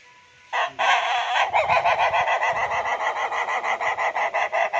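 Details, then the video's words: Ayam Ketawa laughing chicken crowing: a loud, rapid run of harsh, repeated syllables, about three to four per second, that continues in a steady stuttering laugh-like rhythm to the end. "ayam ku ketawa santai"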